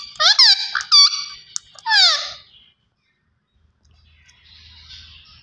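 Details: A green ringneck parakeet talking: quick harsh syllables, then a long rasping downward-sliding call, followed by near silence with faint background hum.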